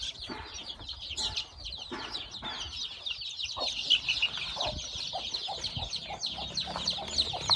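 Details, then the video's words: On a farm, chicks newly hatched by a hen give a dense run of shrill, overlapping peeps. Scattered lower clucks and clicks are heard throughout. "My new born chick hatching at my farm lovely/hen hatching egg to chicks"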